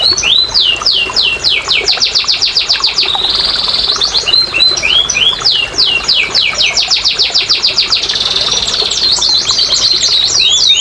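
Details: Canary singing, meant to coax a reluctant, quiet canary into song: series of quick descending slurs repeated in runs, interrupted by a steady rolling trill, all high and continuous.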